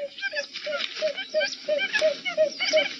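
Buttonquail calling in a rapid series of low, hollow hoots, about three per second, with higher twittering notes and faint voices in the background.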